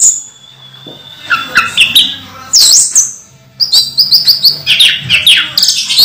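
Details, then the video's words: Caged orange-headed thrush singing vigorously despite moulting: varied whistled phrases that slide up and down, followed by a lively run of quick repeated high chirping notes. "Anis merah mabung masih teler"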